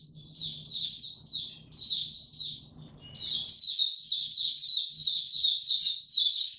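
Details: White-eye singing on 26 March 2022 in warm, very humid weather: spaced high twitters at first over a low hum, then after three seconds a louder, faster stream of sharp chattering notes.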